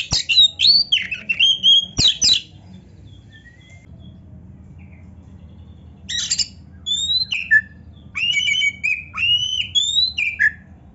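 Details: Kacer (magpie robin) song used to train young or reluctant kacer to sing. Bursts of loud, varied whistles and harsh notes separated by a few seconds of quiet, then a run of clear rising and falling whistled phrases over low hum.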